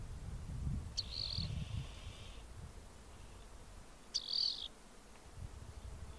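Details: Rock wren delivering two high trilled phrases three seconds apart, each with a sharp onset and a brief buzzy hold, over soft low background rumble.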